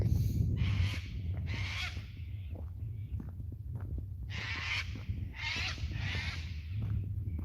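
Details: On a Tuesday morning at a farm homestead, cockatoos flying over near breakfast time squawk as they fly, as they usually do. The sound is loud, harsh, raspy screeches in overlapping bursts about a second long, over wind rumble and handling noise.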